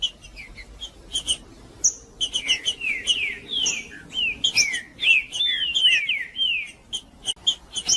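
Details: Male green-winged saltator singing in the macheando style to warm up birds: a rapid run of clear whistled down-slurred and looping phrases, interspersed with sharp high clicks and chips, growing denser toward the middle.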